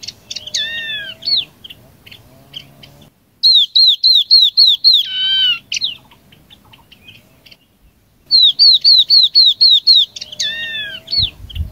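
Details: Chinese hwamei song as a flock-calling lure. Repeated phrases of seven or eight quick, bright whistled notes that dip and rise, each run ending in a long downward whistle, separated by brief quieter gaps.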